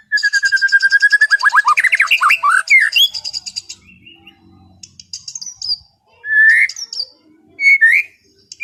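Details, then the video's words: Relaxed afternoon singing of a white-rumped shama for calming an over-aroused bird: a fast rattling trill and rising slurred notes, followed by scattered clear whistles and sharp high phrases with gaps. "SUARA MURAI BATU NGEPLONG SANTAI SORE HARI UNTUK RELAKSASI BURUNG OVER BIRAHI"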